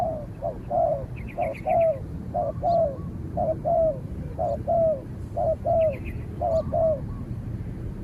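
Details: Spotted dove contest, with a trained decoy bird calling against a wild dove that fights from afar. Rhythmic paired coos roughly once a second, with quick high twittering notes from another bird mixed in twice.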